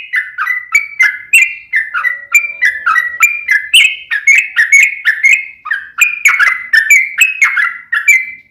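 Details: Yellow-vented bulbul singing in lively 'gacor' form for use as a lure: a continuous string of short, liquid, bouncing notes, rising and falling, delivered roughly three per second.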